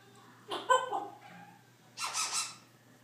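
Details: Congo African grey parrot kept as a pet, heard indoors making noises: a short harmonic squawk followed by a breathy, hissing burst about a second later, with a steady low hum underneath.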